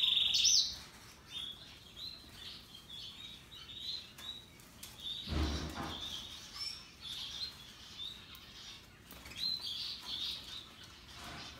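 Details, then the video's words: Singing Russian yellow and Timbrado canaries: a loud opening whistled trill, then soft continuous warbling and chirps at a high pitch with a brief low thump, ending with another short bright phrase. "Canaries Paradise Song Sound"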